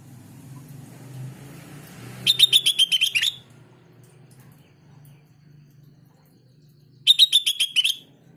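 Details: Sooty-headed bulbul song used to provoke other bulbuls into answering: two fast, clipped runs of about eight chattering notes, each a second long and several seconds apart, with a low hum and faint murmur between.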